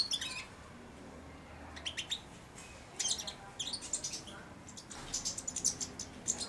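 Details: Caged four-month-old European goldfinch babbling its early subsong beside a hand offered for feeding; soft, scattered high twittering notes in short bursts with quiet pauses between.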